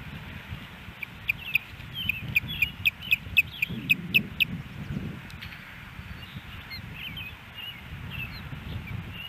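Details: Osprey calling at its nest in Hellgate Canyon, Missoula, Montana, on May 16, 2018, picked up by a nest camera: a run of about ten sharp, high chirps in quick succession, then scattered softer chirps, over a steady low rumble.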